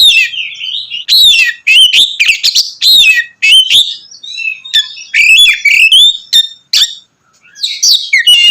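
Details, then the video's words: Oriental magpie-robin belting out ngeplong-style song to rile other magpie-robins: fast, varied whistled phrases and sharp chips pouring out almost continuously, with a brief pause near the end. "kacer ngeplong gacor mancing emosi kacer lain"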